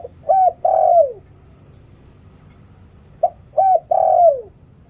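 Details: Dove giving a cooing call used to lure birds: a short note followed by two hollow, falling coos, the phrase repeated after about three seconds of quiet.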